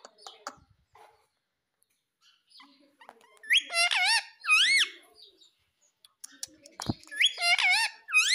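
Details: Pet ringneck parrot giving loud, harsh, wavering squawks in short bursts, each rising then dipping, repeated in groups of three or four, with a sharp click and faint background voices between bursts.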